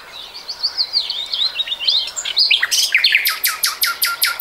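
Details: Common nightingale singing, recorded in 2020: a run of varied high whistled and twittering phrases, then a fast series of loud, sharp repeated notes, about four per second, over a quiet background.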